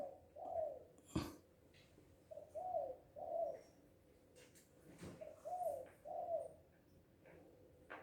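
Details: Spotted dove, called tekukur, balam or anduhur bolon, calling loudly while happy: paired low hooting coos repeated in three phrases, with some clicks and knocks between.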